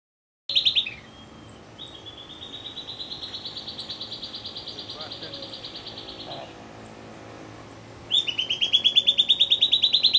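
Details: Silvered Antbird (Sclateria naevia naevia) at Peperpot, Suriname, on the morning of 27 Nov 2017, giving high, rapid chattering notes, then a long, even, steady trill lasting several seconds, followed by more fast high chatter.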